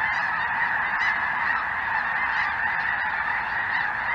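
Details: Snow Geese among Greater White-fronted Geese flying en masse over southern Indiana, 23 January 2023, a cold afternoon; rapid, irregular honks about twice a second rise out of a steady flock murmur.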